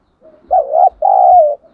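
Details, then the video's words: Decoy spotted dove, thổ sấm voice, calling to draw other doves in: a soft lead-in note, then a rounded wavering coo and a longer steady hoot, with faint low thumps. "Chim Cu Mồi Thúc Đấu"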